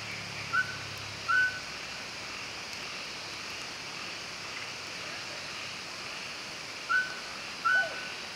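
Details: Mountain scops owl at Maokong, Muzha, Taipei, 4 August 2020: clear, level whistles in pairs, two notes less than a second apart, with a six-second pause between pairs; steady insect hiss behind.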